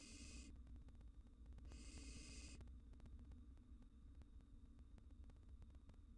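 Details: In a nest box, wild barn owl nestlings answer a cockroach intruder with two rasping, noisy hisses. The first is short and the second lasts almost a second, over constant low electrical hum and faint ticking.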